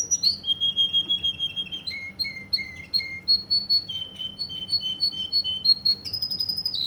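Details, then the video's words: Russian canary from Kuwait with a continuous, varied song: rolling trills, low repeated whistled notes, fast high repeated phrases, closing on a sustained high whistle. "Russian canary from Kuwait"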